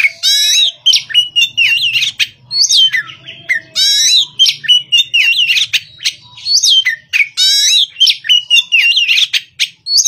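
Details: Oriental magpie-robin, an untrained young bird, singing in the morning: a rich run of loud whistled phrases, sharp upslurred notes and scratchy chattered bursts, changing pitch constantly, with a faint low hum beneath.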